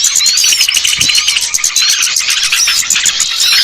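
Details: Many small birds chatter together in a lure call meant to draw down shy birds, with bright overlapping chirps, short whistled slurs and a rapid, regular clicking running under the whole stretch.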